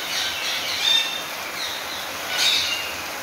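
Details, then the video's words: Captive rose-ringed parakeets at a breeding aviary in Minas Gerais, Brazil, calling excitedly during rain: harsh, grating squawks in two louder bursts near the start and end, over a steady hiss of falling rain. "FESTA DOS RINGS NA HORA DA CHUVA"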